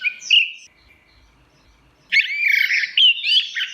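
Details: Orange-headed thrush in teler style: a short whistled phrase fading out, silence, then a loud, continuous run of mixed warbles, slurred whistles and squeaky notes lasting nearly two seconds.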